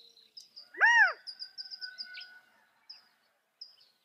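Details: California quail with a single strong, hoarse, arching call lasting about half a second, set against steady high twittering from small birds and a faint sustained tone.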